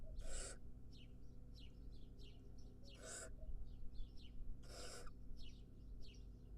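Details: Wild barn owl nestling standing tall: three harsh, broadband hissing screeches, each about half a second, spaced unevenly, with faint, quick, descending chirps from other birds between them and a steady low background hum.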